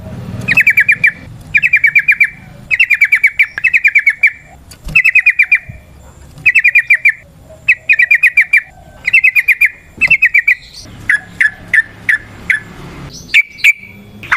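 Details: Yellow-vented bulbul singing in long-rolling 'ropel panjang' style, played to draw and set other bulbuls singing: repeated quick bursts of buzzy pulsed chatter roughly every second, ending with spaced single sharp notes.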